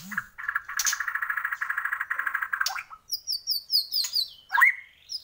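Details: White-rumped shama from Borneo singing vigorously: a rapid buzzy rattling trill around mid pitch, then a sharp rising upslur and a series of high thin whistled notes, ending with a loud swooping note.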